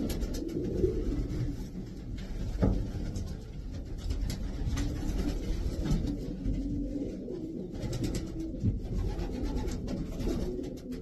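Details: A group of racing pigeons producing deep, gurgling coos that swell and overlap without pause, accompanied by occasional sharp knocks.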